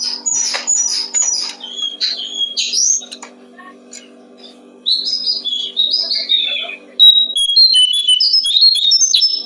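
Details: Brown-streaked flycatcher song recorded as a tutor track for training songbirds: high, thin twittering phrases with sliding whistled notes, a pause mid-clip, then a renewed burst of varied chirps over a steady low hum.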